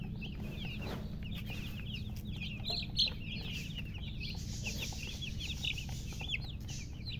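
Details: Chicken chicks just hatched, calling loudly in a dense chorus of high, brief, rising-and-falling peeps, with a single louder click partway through and a constant low hum.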